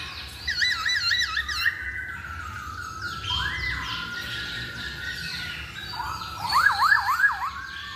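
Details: Masked laughingthrush lure: fast looping warbled trills, then a chain of level and upslurred whistles over a noisy background, ending with loud wavering rising notes.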